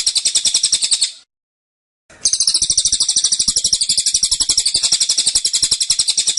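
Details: Cililin (Black-winged Flycatcher-shrike), a kept cage bird, in tight, insistent 'tembakan' song: a shrill, rapidly pulsing high trill, about four notes per second, pausing for a second before resuming strongly.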